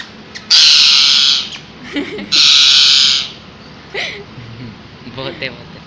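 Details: A pet parrot screaming: two long, loud, harsh screeches of about a second each, then a few short fainter squawks and chatter, in a quiet indoor setting.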